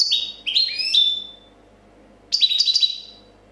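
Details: Short stretch of copia song from a champion European goldfinch, 2014: a few sliding, bell-like notes stepping downward, a silent gap, then a dense, ringing flurry of high twitters.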